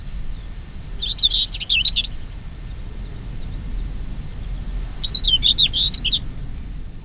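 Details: A common whitethroat in Oldenburg Land, northwest Lower Saxony, in open country with hedges and scrub, gives two short, scratchy, hurried warbling phrases about four seconds apart, each about a second long, over faint low background rumble.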